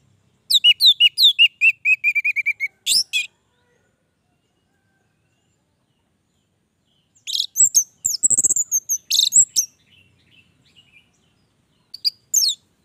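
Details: Orange-headed thrush, lively long-running song: a rapid run of high twittering and slurred whistles, a pause, then a buzzy, scratchy jumble of notes with faint low rumbling, and a brief final high phrase.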